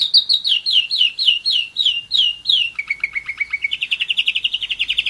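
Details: German Roller-split canary, one year old, delivering a series of falling whistled notes at a lively pace, then a lower slurred run and a rapid rising rolling trill.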